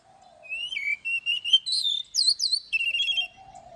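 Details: An Oriental magpie-robin delivers forest-voice morning song with long notes during training: sweet slurred whistles, swooping high notes and a rapid rattling trill, with a low, steady hum at the start and end.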